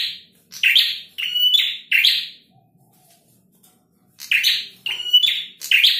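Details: Energetic male Bar-winged Prinia giving loud rasping, buzzy phrases in quick bursts, each with a brief steady whistled tone, a silent second in the middle, then another rapid series of harsh notes.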